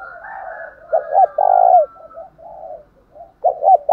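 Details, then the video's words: Fighting coo from a spotted dove kept as a decoy to provoke caged doves: two quick hoots then a sustained, downward-curving coo, with quieter cooing trailing after and another phrase beginning at the end. "chim cu mồi thúc đấu vang cả xóm, mở vdeo lên bảo đảm ở nhà có con bổi nào đều mở miệng hết"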